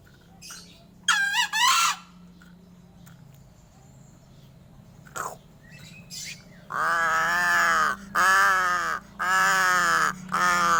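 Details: Crow giving unusual calls: a short wavering, nasal call early on, then after a quiet gap a run of four loud, harsh, raspy caws, each about a second long, with short pauses between them. A low steady hum sits underneath.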